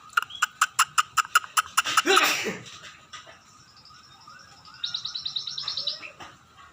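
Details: Scaly-breasted munia beginning to sing actively, giving a fast series of clicking notes, then a brief harsh noisy burst, followed by a thin buzzy trill of rapid high notes.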